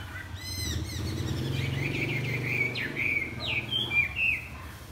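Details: Chinese hwamei, flapping its wings in the morning, delivers sharp chirps then a string of clear whistled notes and downward slurs over a steady low humming background noise.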